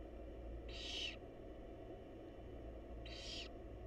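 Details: Barn owl mother feeding her chicks in a wild nest box; two rasping, noisy hisses about three seconds apart, with a constant low droning hum underneath.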